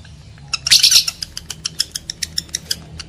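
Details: Lovebird calls used to stir males and females into breeding condition: a harsh, loud squawking burst followed by a string of short, sharp high chirps repeated about every seventh of a second.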